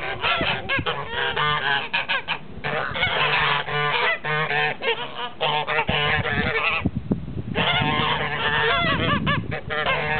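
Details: Blue and grey Toulouse geese calling as a flock: dense, overlapping nasal honks in rapid, ragged bursts with harmonic stacks, nearly continuous for ten seconds, with only brief gaps near the seventh second.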